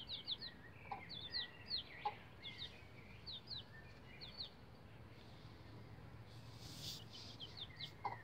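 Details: Rapid high peeping from bantam Rhode Island Red chicks about 11 days old learning the chicken ladder, dense in the first half and then thinning out, with a brief rustle near the end.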